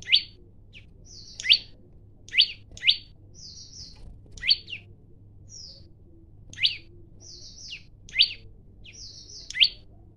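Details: A male olive-backed tailorbird sings a fight challenge, phone-recorded. Loud upswept notes come in a steady series, interspersed with brief high whistles, over a low background hum.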